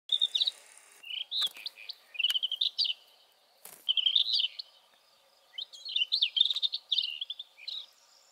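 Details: Rufous-tailed scrub robin, chosen bird of the year in Spain; threatened by the replacement of traditional crops with intensive farming. Bursts of varied, fluty, warbling phrases separated by short pauses, with a few sharp clicks.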